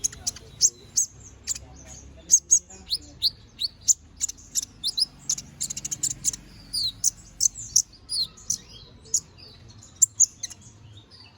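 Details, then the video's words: Canary in energetic "gacor ngobra" singing, used as a tutor song for training magpie-robins. Rapid, high, sharp chirps and short whistled notes come in quick irregular bursts, with a dense chattering stretch near the middle and a quiet background. "Suara BURUNG KENARI GACOR NGOBRA!"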